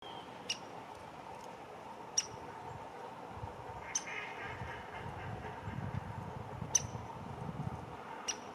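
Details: A busy female downy woodpecker gives sharp, high single pik notes at irregular intervals of about two seconds over a steady low hum.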